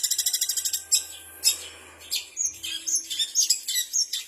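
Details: Long-tailed shrike (cendet) mimicking kapas tembak, canary, fighting sparrow (gereja tarung) and ciblek. It opens with a fast even stutter of about a dozen notes, then sharp separate chips and short twittered phrases.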